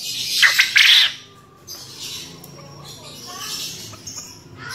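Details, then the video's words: A male contest quail gives two harsh, high chattering bursts in the first second, then fainter scratchy notes over a low background hiss. "PUYUH JANTAN JUARA CEKETERNYA MANTAP"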